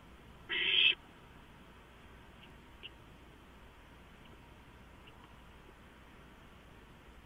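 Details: A lone short, harsh hiss from owlets clutching a large delivered rodent, 23 March 2015, followed by several seconds of quiet background with faint ticks.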